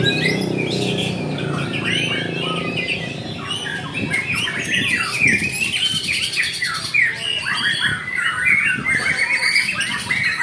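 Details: Varied song from a white-rumped shama, with clear whistled notes, quick chattering bursts and scratchy trills packed closely together, while other birds call and chirp throughout the background.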